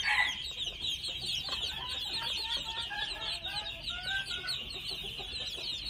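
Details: Two-month-old red junglefowl chicks: a dense chorus of high chirps, with a run of clear, short, whistled mid-pitched notes in the middle, all over an unbroken buzzing background.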